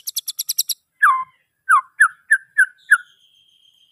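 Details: White-rumped shama: a quick burst of dry clicks, then loud downslurred whistles repeated every half second, closing with one long, steady high whistle.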